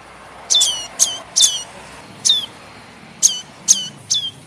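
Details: Young tailorbird (prenjak kepala merah) begging, used for luring birds: seven insistent, shrill, downward-sweeping squeaks, some in quick pairs, clustered then resuming after a brief gap, with faint hiss behind.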